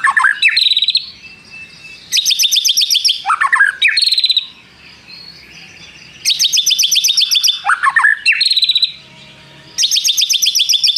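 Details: White-rumped shama singing with imitations, firing off long prenjak-style 'tirrr' trills: bright rapid high trills alternate with sharp descending whistled notes, in bursts separated by short pauses.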